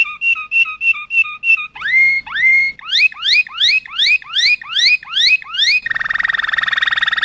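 A Waterslager canary sings in distinct tours: bubbling repeated notes, then quick rising whistled glides, closing on a fast rolling trill. No other sounds.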